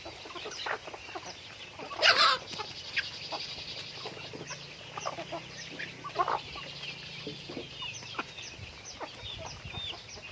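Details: Chickens during daily activity, scattered clucks from a flock with a loud harsh squawk burst early on, then quieter chatter and a faint hum.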